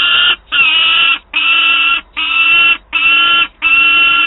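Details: Peregrine falcon chick at Wałbrzych on 9 August 2022 complaining to its mother for food: six drawn-out, grating wails repeated steadily, a bit under one per second, with brief pauses between.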